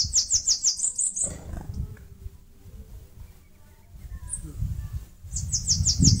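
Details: Singing Bananaquit nest-building in a mandacaru cactus, northeastern Brazil: a quick string of high, tinny, buzzy notes opens the recording and a similar run returns near the end, with low-frequency rumble between.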